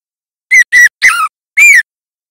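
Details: A young White-rumped shama learning its song gives four short, clear whistled notes in quick succession, the third more warbled and the last gently rising then falling; nothing else is heard.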